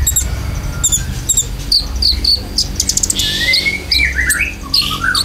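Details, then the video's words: Konin lure song for caged birds: rapid high clicks and chips, then long rising and falling whistles sliding through mid pitches, with a low rumble underneath. "PANCINGAN KONIN ISIAN"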